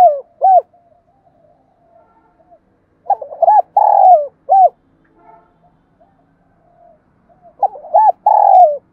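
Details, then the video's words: Spotted dove song played to make kept doves coo: low mellow coo phrases, each a few quick hoots and a longer burry coo, repeated about every four seconds with silence between. "Tiếng chim cu gáy kích chim cảnh nhanh gáy nhất hiện nay, chim cu gáy giọng hay hạp bổi mới"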